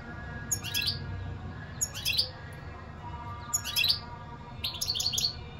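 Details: European goldfinch singing in short bursts of high, tinkling, twittering notes, four phrases each under a second, separated by pauses, over a faint low background hum.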